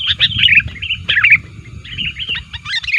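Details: Sooty-headed bulbul calls for luring, said to be active against rivals: a few tumbling chirpy phrases separated by short gaps, over steady low background noise.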